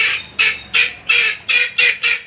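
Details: A bird whose noisy voice is said to frighten cats gives harsh, rasping squawks about three times a second. Two birds are present: one eating, one waiting.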